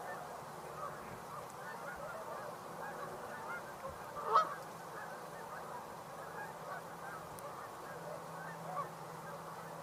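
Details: On 12 November 2022, distant Tundra swans on water with ring-necked ducks and a mallard give a steady chorus of soft, mellow hooting calls, with one louder whooping note standing out midway.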